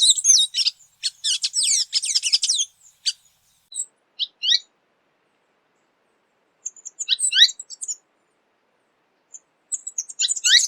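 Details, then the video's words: Tanager, described as colourful birds found across Latin America: bursts of high, rapid chirps and sharp downslurred notes for nearly three seconds, then scattered short call notes and renewed twittering after a pause. No other sounds. "SONIDO DE LAS TANGARAS"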